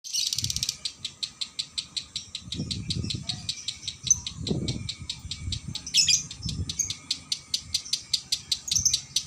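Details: Caged female lovebird giving a long continuous song: steady rapid series of high, scratchy chirps repeated about three times per second, with low thumps and room noise underneath.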